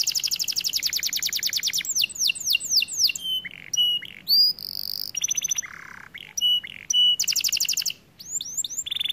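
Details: A white canary sings a varied, rolling song of fast high trills, sharp rising whistles, short flat tones and a brief harsh buzzy note, with phrases changing every second or two.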